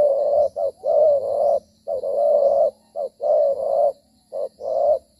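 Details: Wild spotted dove cooing during a trapping session on 25 September 2023, in the rainy season at nightfall among pineapple fields. It sings in the thổ style and fights while moving. Mellow mid-pitched coos come in short-long groups, roughly one phrase per second, with a faint hum.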